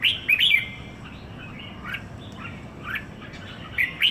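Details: Red-whiskered bulbul, a male kept for one week in Singapore, giving short, scattered chirps and squeaky notes, loudest at the start and end, over a quiet, steady background hiss.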